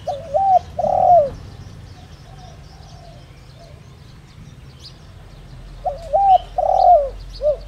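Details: Spotted dove used as a decoy to draw in wild doves, singing in the 'đồng rặc' voice style. Soft cooing phrases open and close the stretch, with looping notes and a quieter pause between them. Faint distant chirping.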